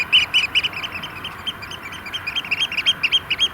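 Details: Flock of Eurasian oystercatchers in courtship display at a sand extraction lake, Vriezenveen, during cold rain and hail showers; rapid series of loud, sharp piping notes, roughly four per second, over a constant hiss of rain.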